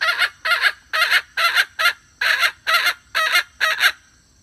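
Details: Hen call for luring birds to a trap, recorded 2021: nine drawn-out, raspy clucks, each swelling and fading, spaced roughly half a second apart.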